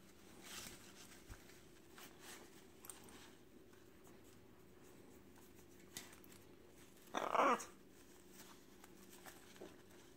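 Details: A pet military macaw gives a single short, harsh squawk midway through, against a quiet indoor room hum with a few faint knocks.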